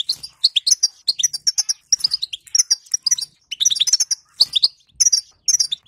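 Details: 'Batbata' of a female European goldfinch, aimed at getting a silent bird to sing: bubbling runs of high, thin, metallic chirps in clustered phrases, broken by short quiet gaps.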